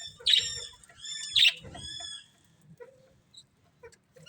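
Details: Two loud, ringing, harmonic calls from colourful budgies about a second apart, followed by a soft, nasal trailing note, then near quiet with faint scattered chirps.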